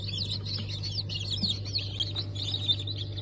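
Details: Newly hatched chicks of Ottoman Sultan, Cream Legbar and Ameraucana breeds from a hatch on 20 November 2023, many high chirps overlapping continuously, over a steady low mechanical hum.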